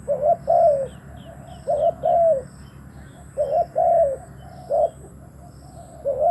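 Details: Decoy spotted dove cooing to draw in wild doves: repeated low two-note phrases, short then long and falling, with faint high twittering from other birds behind.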